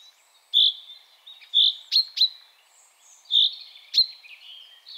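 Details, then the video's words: A Common chaffinch gives short, bright, high notes with sharp, clipped strokes, spaced irregularly about once a second, against a quiet background. "Common chaffinch"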